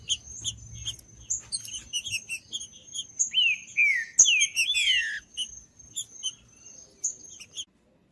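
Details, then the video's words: Green-winged saltator singing in the judas style, used to warm up a cold bird: scattered high chirps, then a run of loud, clear whistled notes that slide downward, followed by more short chirps. "ESQUENTAR TRINCA FERRO FRIO 2024 | TRINCA FERRO CANTANDO TRINCA FERRO JUDAS"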